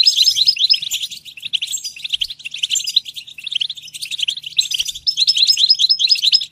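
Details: A continuous, lively twitter from a European goldfinch, with dense, bubbling chirps and trills and short series of repeated high ringing notes scattered through the phrase.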